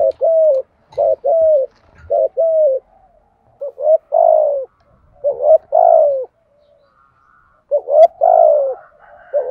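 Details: Full cooing sequence of a spotted dove, used to provoke other doves: steady paired low coos at first, then longer, louder, slightly descending drawn-out coos spaced a second or two apart, with quiet gaps.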